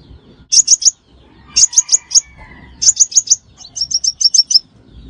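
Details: Crimson sunbird call used as a trapping lure: high, sharp chirps in quick bursts of three to five notes, separated by short pauses, with faint lower chirps between them.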